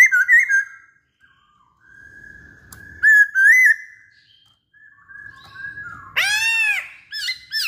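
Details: Poksay Hongkong, the masked laughingthrush, in lively song: twisting whistled notes, long level whistles, and later a loud arched harmonic-rich cry repeated in quick succession amid faint background rustle.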